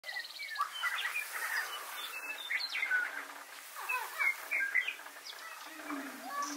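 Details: During mating season, male Lesser prairie chickens displaying together on a lek give overlapping yelps, cackles and short whistled notes, a busy, continuous chorus from several birds calling at once.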